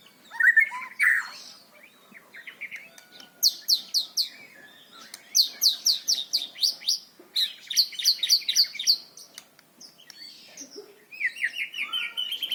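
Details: White-rumped shama singing a varied, loud song used for training young birds: an opening whistle, then long runs of rapid high ticking notes repeated many times per second, ending with a rising whistled phrase.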